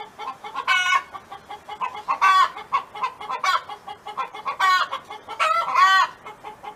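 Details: A neighbour's domestic hen clucking and singing on a farm: a steady run of nasal clucks broken by louder drawn-out squawking notes about every one to two seconds, over a faint background hiss.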